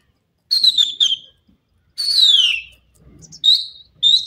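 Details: Partridges, a dakhni titer and irani teetar pair, giving shrill whistled notes that slide downward. The notes come in short bursts separated by brief pauses.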